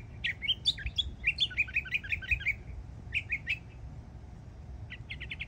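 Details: Young Northern Mockingbird, a yearling, singing in Florida: fast varied phrases of high chirps and trills, with a run of rapid repeated notes, a short pause, more clipped phrases, then a quick burst of repeated notes at the end.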